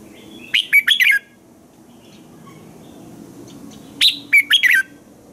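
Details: Red-whiskered bulbul morning song used to train other bulbuls: two short, bright phrases of four or five quick, slurred whistles, about three and a half seconds apart, separated by quiet.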